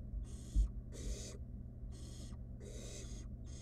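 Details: Barn owl chick in a wild nest box, playing with delivered food; five coarse hissing bursts with uneven gaps, a single soft thump near the start.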